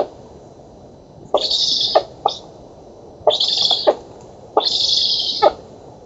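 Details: Black stork nestlings at a nest in an oak in Poland, filmed by a nest camera on 11 August 2017 during feeding. Three loud wheezy, hissing bursts, each about half a second long, separated by short pauses.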